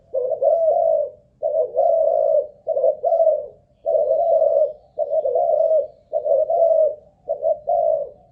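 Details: Ground decoy spotted dove of Malaysian origin, caged and tested for singing endurance, repeats mellow hoarse coos in tight two- and three-note groups at a steady pace, no other sounds.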